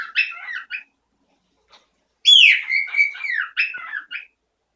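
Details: Pet parrot that recently turned loud every morning, claiming territory: loud whistled calls with a sharp rising-then-falling note followed by a run of warbling, choppy descending syllables, separated by short silences.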